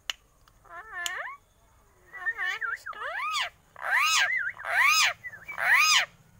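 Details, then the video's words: Talking Alexandrine parakeet producing wavering harmonic syllables that grow louder and harsher, ending in three strong, arched, squawk-like phrases about one second apart. "See how the sandalwood bird talks like a human | দেখুন চন্দনা টিয়া পাখি কিভাবে মানুষের মত কথা বলে"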